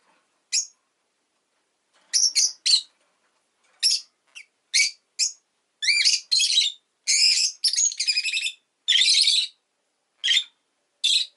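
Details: Pet rosy-faced lovebird giving a long run of sharp, high, harsh chirps, some single and some in quick rasping bursts, spaced irregularly over about eleven seconds against an otherwise quiet background.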